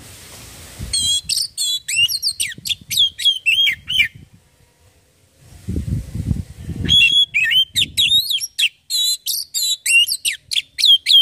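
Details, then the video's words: Oriental magpie-robin singing, used as a lure to set off other kacer birds. Bright, fast whistled phrases in two bursts, separated by a pause filled with low thumping or flapping sounds, then a dense run of sharp chirps. "Burung Kacer langsung bunyi dengar ini"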